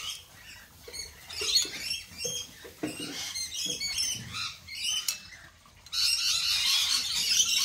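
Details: Lorikeets at a café screech in harsh, shrill, overlapping bursts, several birds calling at once, then a steady rushing noise at the end.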